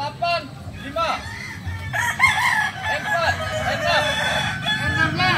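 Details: Layered crows from several kukuak balenggek roosters during a training contest at AMKO, each rising in short arched notes and repeating irregularly, accompanied by clucks and a low droning hum.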